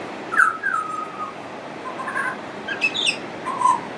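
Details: Long song from a friendly pied butcherbird that includes mimicry: a bright upslurred whistle drawn out into a level tone, then softer warbled notes, sharp high chirps, and a final clear whistle.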